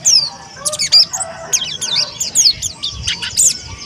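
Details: Young white-breasted pleci monty, an Indonesian white-eye, kept as a cage bird and learning to sing. High thin chirps and short squeaky notes in uneven bursts, with brief gaps between them.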